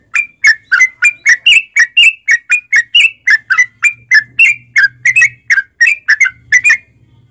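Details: Sooty-headed bulbul in a lure recording made to set caged bulbuls singing: a steady string of short, clear, whistled notes, about three per second, alternating slightly in pitch throughout, with a faint low hum underneath.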